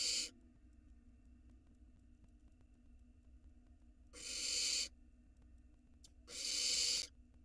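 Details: Israeli nest camera, 2022: a young barn owl swallowing a whole rat utters three broadband, wheezing hisses, a short one first, then two longer rasps about two seconds apart, with soft hum between.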